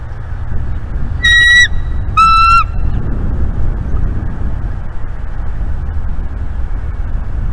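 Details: Bald eagle at a nest in Southwest Florida during the pair's eleventh season with eggs, giving two short, high, clear piping calls with a faint stacked ring, then quiet nest ambience with low rumbling wind.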